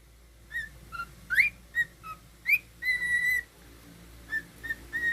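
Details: A pet male cockatiel whistles over a background hum: quick upward-sweeping chirps, short dipping notes and one long level whistle, followed by a few softer, spaced notes.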